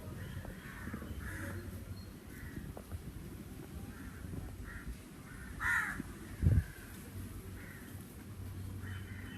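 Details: Repeated short rasping caws from a crow on a summer day, roughly one every second, with one louder cry midway and a thump, over a continuous low background drone.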